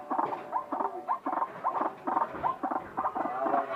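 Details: White-breasted waterhen making a strange call: rhythmic harsh croaking notes, each with a short rising nasal inflection, repeated about three times per second in an even, pulsing series.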